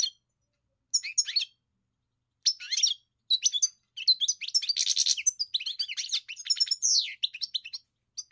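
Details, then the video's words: A singing European goldfinch starts with scattered twittering phrases, then builds to a dense run of jingling notes, a buzzy rattle and a falling slur, with no background noise. "Enjoy the experience of the elegant singer GOLDFINCH"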